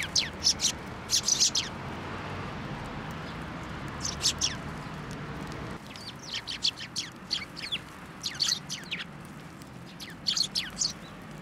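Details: Sparrows gathering at a shrine on 1 January 2024 to be fed from a post: short sharp chirps in scattered clusters from several birds, with steady background noise.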